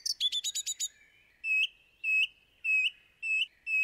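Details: Song thrush in song, a quick rattle of six sharp repeated notes followed by a series of clear whistled notes, each repeated about every half second, loud and clean.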